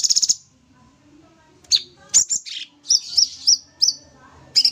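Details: Sooty-headed bulbul in lively 'tembak' song, a master recording: an opening rapid trill, a pause, then a tumble of high slurred chirps and a row of quick repeated sharp notes.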